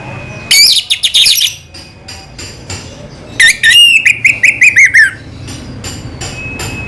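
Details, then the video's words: Orange-headed thrush (anis merah), Indonesia, singing selow style: a steady thin whistle, rapid high chattering bursts, then a descending series of clipped whistled notes, ending with a faint held whistle. "burung anis merah selow"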